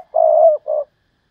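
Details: Spotted dove kept as a decoy bird, calling in the Thúc Lợi Cốt style: a drawn-out, even, low coo followed at once by a shorter coo, then silence.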